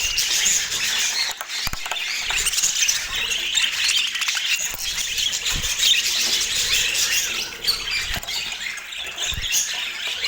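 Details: A group of pet budgerigars gives busy, continuous chatter of rapid chirps, twittering warbles and short squawks, layered thickly with occasional low thumps.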